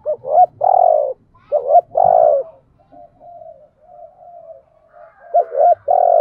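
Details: Spotted dove kept as a luring decoy, cooing in repeated phrases of paired hoots and long coos. Soft low murmurs fill the gaps, with faint low rumbling underneath.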